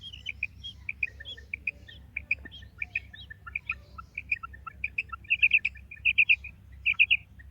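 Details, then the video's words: Calling of a female quail: scattered high chirping notes that build into rapid, loud clusters of three or four notes toward the end, over a low background rumble. "Maadi Batair Ki Awaz, Female Quail Calling, Female Batair Ki Awaz,Maadi karkari Female Quail voice"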